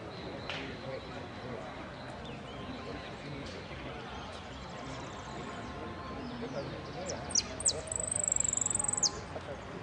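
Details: During the 25/09/16 Piran contest, a saffron finch in the 'amarillo sin cierre' class sings late on: a couple of sharp falling notes and a sustained, very high, fast trill, over a noisy crowd.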